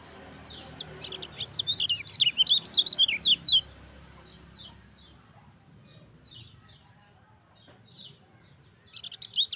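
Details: Lemon-bellied white-eye song meant to stimulate sluggish birds to sing: burst of rapid high twittering chirps, then a faint quieter stretch, with another brief twitter starting at the end.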